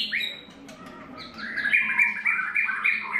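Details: Singing white-rumped shama in its third molt, delivering a quick sequence of bright whistled notes that step up and down in pitch, growing louder toward the end over a steady low background hum.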